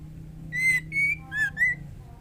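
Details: Four clear whistled notes from a female white-rumped shama calling the male while in breeding condition; the notes are evenly spaced, the third dipping lower, over a low steady hum.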